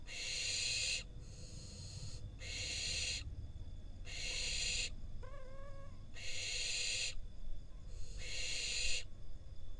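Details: Wild barn owl fledgling in Israel being fed a rodent by its parents, then eating it. A series of coarse, noisy screeches, five broad hisses in about ten seconds, with a short higher wavering chirp between them.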